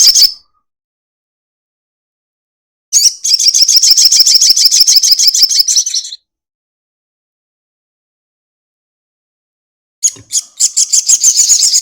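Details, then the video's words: Crested jay giving a long chatter, used as a lure to stir other birds into calling: a short burst, then a sustained dry, high rattle of rapid pulses lasting about three seconds, and another rattle starting near the end after silence. "sogon ekek panjang"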